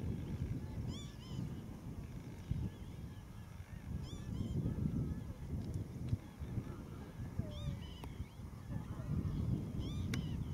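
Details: Young northern lapwing at Zandvoortweg: a clear, arched, whistled call rising then falling, repeated about every three seconds, over a steady low rumble of wind and distant traffic.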